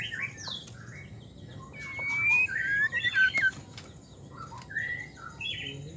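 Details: Calls from a female white-rumped shama in breeding condition summoning a male: a busy run of varied short chirps and whistled slurs, some rising and some falling, loudest in the middle, with brief clicks between notes.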